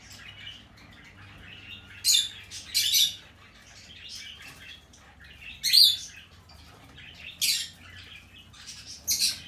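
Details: Young hand-tame green-cheeked conure, red-cheek pineapple colour, recorded 25 April 2020, makes rough, noisy screeches in paired bursts with gaps of a second or more, plus softer raspy chips between them.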